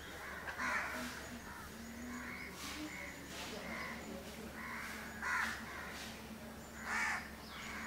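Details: House crows grooming one another in Candolim, Goa, India, December 2010, with occasional strong hoarse caws spaced a couple of seconds apart and softer low murmurs in between.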